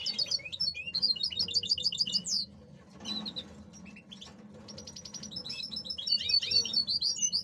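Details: Male European goldfinches being conditioned into breeding condition before the breeding season, kept by a bird hobbyist: rapid high twittering and tinkling phrases with buzzy trills, bursts at start and end separated by quieter chatter, low background hum.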